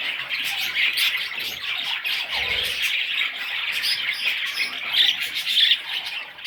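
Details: Little parrot chicks squawk and chirp in a busy, shrill chatter, with a few sharper squeaky notes toward the end and a soft knock near the middle.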